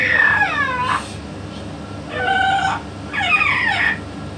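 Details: Pet yellow-naped amazon voicing three separate harmonic utterances, each under a second long, nasal and speech-like with sliding, falling tones, separated by brief quiet gaps over a steady low indoor hum.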